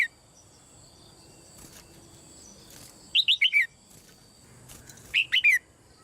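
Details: Female red-whiskered bulbul calling in a cage, used to stir other birds into strong singing; two quick phrases of four whistled, down-slurred notes about two seconds apart, with faint background rustling.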